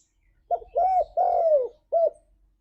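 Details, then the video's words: One full spotted dove song phrase in the 'ngalas' style, meant to prompt pet doves to sing: four hoarse coos, the third long and falling, the last short and clipped. "Suara Burung Tekukur Ini Pancingan Tekukur Gacor Suara Ngalas"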